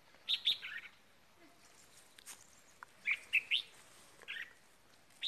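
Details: Red-whiskered bulbul kept as a decoy bird, recorded around Tết, giving short bright chirped phrases of two to three notes at about 0.4 and 3.2 seconds, with further single notes and faint other bird chirps.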